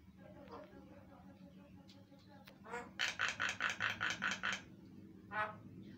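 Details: Lure song of a Javan myna, used to get other mynas calling back: faint scratchy notes lead into eight harsh, broadband rasps evenly spaced about a fifth of a second apart, then one last grating burst, with a constant low hum.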